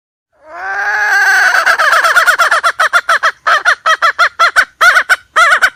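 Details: Hen used as trapping bait, calling with a long swelling harmonic cry that dissolves into irregular clusters of nasal, bouncing clucks.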